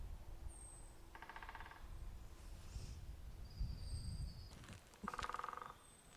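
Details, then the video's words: Woodpecker drumming at Smardale Nature Reserve during a spring dawn chorus. The bird drums to declare territory, and birds answer back and forth. Two short bursts of rapid, even knocking pulses come about four seconds apart, with faint bird whistles and low rumble behind. "So their song equivalent is that drumming that we hear. So that's them declaring their territory."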